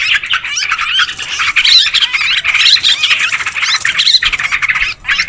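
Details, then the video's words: Sooty-headed bulbuls in a lure recording used to attract birds: excited, jostling calls of harsh squawks and upswept notes, packed tightly, with a brief lull near the end. "Suara pikat trucukan ribut"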